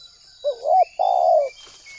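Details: Spotted dove lure call used to attract wild doves. A single phrase: a soft wavering note, then a long, smooth, slightly falling coo, with thin faint whistles of another bird behind it.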